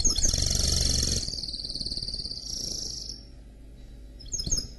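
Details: Canary and goldfinch hybrid mule singing: a bright high trill held over a second, then a long sustained whistled stretch, a pause and a short burst of quick chirps, with low hum beneath.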